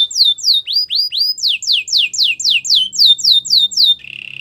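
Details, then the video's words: Song of a Belgian canary: repeated, clear descending whistled notes in quick succession, shifting pitch between phrases, closing with a short low buzzy trill. "your belgian canary will sing a lot!! The best canary song"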